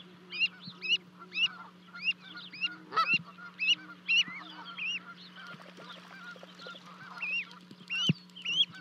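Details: Two Canada goose goslings reuniting with their parents after leaping off a 30-foot-high osprey nest in Charlo, Montana, 12 May 2020; a livecam records bursts of shrill upswept peeps, occasional low honks and clicks, and a continuous hum.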